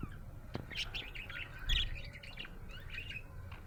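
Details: A happy budgie keeps up soft, warbling chatter of scratchy chirps and little squeaks, with a louder burst midway, all over a steady low hum.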